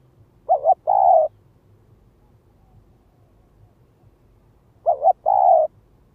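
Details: Spotted dove lure calling, two identical phrases about four seconds apart, each a short doubled note and a longer mellow coo, with quiet pauses between.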